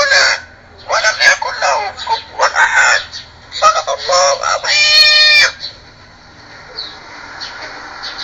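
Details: Talking Amazon parrot producing several bursts of raspy, word-like chatter separated by short pauses, then a strained, tonal, drawn-out squawk before falling quiet.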